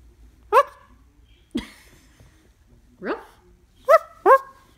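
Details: A pet cockatoo mimicking a dog, giving high-pitched barking indoors: five short, sharp, harmonic yaps spread over about four seconds, some sliding upward, with quiet gaps between them.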